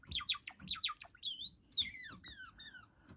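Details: Pet cream Java sparrow in song practice: quick clipped chips, then a long, smooth whistle that rises and falls, ending in a few fading down-slurred notes.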